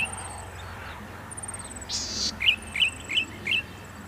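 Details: Golden-headed cisticola gives a rasping buzz, then four clear, sharp 'lik' notes spaced about a third of a second apart; thin high whistles of other birds sound in the background.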